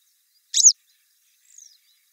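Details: Grey wagtail recorded by the Lieser river, 2017: one loud, sharp, high-pitched call note, then a fainter thin note sliding downward about a second later, in quiet surroundings.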